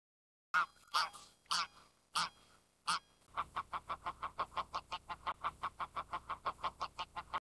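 Greylag goose giving five loud, harsh, nasal honks about half a second apart, then a rapid run of shorter clipped notes, four or five per second.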